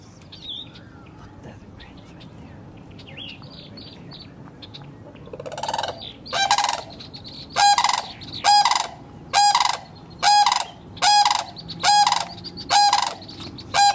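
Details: Cranes at their nest in Kettle Moraine, Wisconsin: after a quiet start with faint chirps, loud rolling, harsh trumpeting calls begin and repeat about once a second in a steady series of nine or ten bursts.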